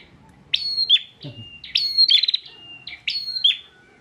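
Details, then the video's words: A Bar-winged prinia from Pemalang, Central Java, sings persistently as a master song for training other birds: loud, high, sharp chipping phrases joined by a thin whistled note, each repeated about every one and a half seconds; faint rustling behind. "PRENJAK GACOR NGOTOT"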